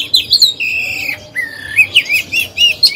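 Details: Oriental magpie-robin kept as a lure bird, singing to urge other birds to sing; long clear whistles held steady, then a falling-rising whistle and short chirpy notes.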